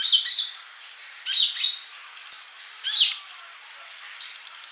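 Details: Tutoring recording of a singing sunbird: a whistled opening note, then high, slightly buzzy chirps repeated at irregular intervals of about a second.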